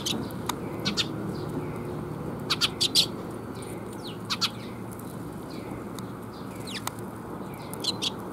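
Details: Sparrows coming to be fed at 水上橋 bridge on 26 June 2021: short, high chirps scattered sparsely over eight seconds, some in quick pairs and triplets, above a steady low rumble of background noise.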